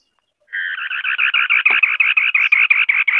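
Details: White-browed scimitar babbler (Pomatorhinus schisticeps) song heard as a long, quick chatter of harsh, buzzy notes, roughly eighteen in a row, evenly spaced and sustained to the end, in a quiet setting.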